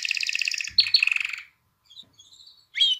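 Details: Canary song meant to excite females to mate and spur chicks to sing: a fast high trilled roll, then sliding notes that stop abruptly, a near-silent pause with faint chirps, and a sharp closing twitter.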